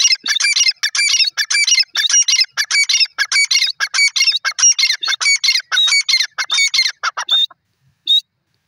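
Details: Grey francolin, known locally as Irani dakhni teetar, calling loudly: shrill, harsh notes tumble out in rapid, uneven bursts for about seven seconds, ending with a brief pause and one last isolated note; nothing else is audible.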